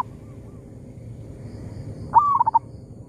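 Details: Local zebra dove answering a decoy bird among oil palms: a faint coo early, then a sudden rising note followed by a rapid stuttered series of soft, mellow coos, with constant low rumbling noise behind.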